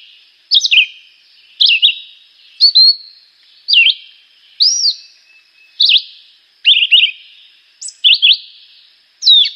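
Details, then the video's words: Chivi vireo (juruviara) singing a simple, repetitive but melodious song: short whistled phrases with slurred notes, about one phrase per second, each phrase varying slightly; no other sounds. "Juruviara - Pássaro - Canto"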